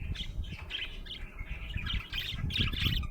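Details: Happy budgerigar in a short burst of rapid squeaky chirps and chattering warbles, about four notes a second, over low rumbling noise.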